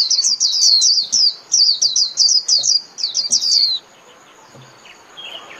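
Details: Japanese white-eye calling the flock with a fast, almost continuous string of high, sharply falling chip notes for nearly four seconds, then quiet with faint background noise.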